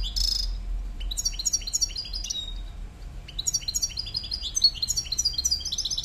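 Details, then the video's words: Male European goldfinch singing: bright, rapid twittering phrases of high tinkling notes and short buzzy trills, in bursts separated by brief pauses, with a low background hum. "male chardonneret"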